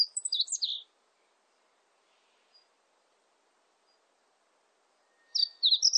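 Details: Meadow bunting singing, from a 2020 national biological resources recording: a quick high twittering phrase under one second, a long quiet gap with a faint distant note, then the next phrase beginning near the end.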